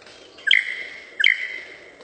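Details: Lyrebird mimicking laser guns: two loud, sharp 'pew' notes about 0.75 seconds apart, each a bright burst dropping into a long, even whistled tail.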